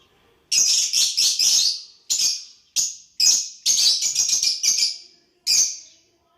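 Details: Lovebirds interacting: dense clusters of shrill, high chirps in quick succession with short gaps, forming a lively chattering exchange.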